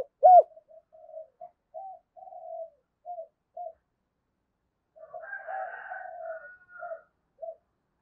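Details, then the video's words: Spotted dove calling to stimulate other doves: one sharp loud coo, then a string of soft, short coos, and later a quieter drawn-out phrase with a thin higher overtone. "Tiếng chim cu gáy kích bổi nhanh nổi hiệu quả bổi nghe sung mãn gáy theo cả ngày thúc và gáy gọi"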